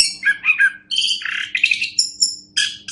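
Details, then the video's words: Orange-headed thrush song played as a master recording for training other songbirds: a quick run of varied phrases, with sweet mid-pitched warbles giving way to high, thin whistled notes and brief sharp chips, separated by short pauses. "Masteran Anis Kembang"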